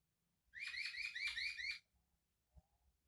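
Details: White-crested laughingthrush, its song described as unique, gives a quick series of about six buzzy, harmonic notes in just over a second, then goes quiet apart from a faint low knock.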